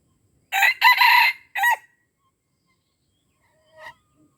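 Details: Crow of a junglefowl from Aceh, used to lure wild birds: a brief, raspy three-part call, two quick syllables and a drawn middle then a clipped final note, followed by quiet and a faint distant chirp.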